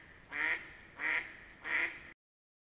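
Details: Ducks in spring 2021 give three loud, drawn-out nasal quacks, evenly spaced about two thirds of a second apart, against a quiet background.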